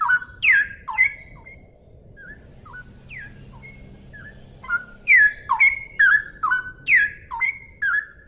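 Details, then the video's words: A straw-headed bulbul (cucak rowo) sings loud, clear, liquid whistled phrases that swoop down and bubble, coming in quick bursts after a short pause, over a faint low hum. "suara burung cucak rowo jernih"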